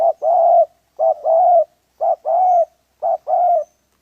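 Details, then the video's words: Spotted dove from a wild dove trapping session, giving a steady series of two-part calls, a short clipped note followed by a longer level coo, about once a second, clean and close. "Sound of dove so cut"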